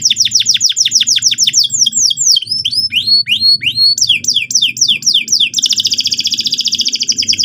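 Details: Canary in full song, used as a lure to get another bird rolling: quick descending whistled notes in a fast series, then varied swooping phrases, ending in a dense buzzy trill. A low hum runs underneath.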